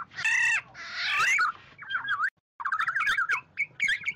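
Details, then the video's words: Oriole calling the flock, used for luring birds: opens with harsh, nasal, cat-like squalls, then a brief pause and a string of wavy, warbled whistles and sharp rising notes. "tiếng vàng oanh gọi bầy"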